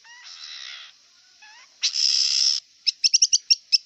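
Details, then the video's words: Wild long-tailed shrike singing: a varied mix of harsh buzzy bursts, short rising whistles and a loud grating phrase, then a rapid run of sharp high chips. "Kicau cendet liar"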